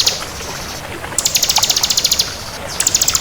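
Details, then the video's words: Crystal bar-winged prinia delivers a long, rapid, metallic trill of high ticking notes, then begins another, with a soft hiss behind. "Suara Burung Ciblek Kristal Gacor"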